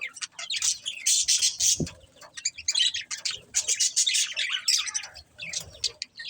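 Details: Budgerigars keep up dense, scratchy chirping and squawky chatter, rapid clicks and warbles nearly without pause, with one low thump near the start.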